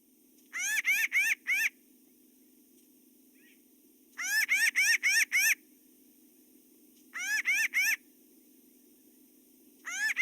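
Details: Pinyon jay; alarm call; alarm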